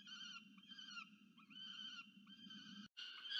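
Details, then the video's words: Peregrine falcon nestling in Orange, New South Wales, Australia, filmed by a nest camera on 13 November 2022 while demanding food from its parent; strained, rasping harmonic wails repeated in quick succession, a brief dropout, then louder calling resumes. "domaga się jedzenia"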